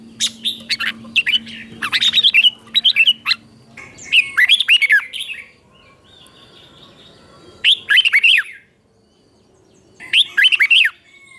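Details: Morning song of a red-whiskered bulbul used to spur other bulbuls to sing: quick clusters of lively whistled notes, sweeping up and down, delivered in phrases with longer silent gaps between them.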